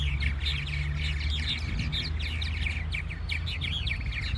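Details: Purple martins back for summer at Fireman's Beach, Conneaut Lake, flying in and out of their nest houses, likely pairing: busy overlapping twittering of short gurgling and chirping notes over a steady low rumble of wind or surf.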